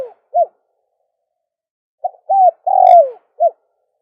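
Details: Dove cooing, a recording for calling doves: one short note, then a pause, then a phrase of a clipped note, an arched coo, a long falling coo and a final short coo, all mid-pitched and mellow against a silent background.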